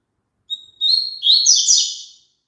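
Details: One song phrase of the double-collared seedeater, played so a kept bird sings along: a drawn-out high whistle, a brief pause, then a lively rapid warble of sliding notes ending in a fading trill.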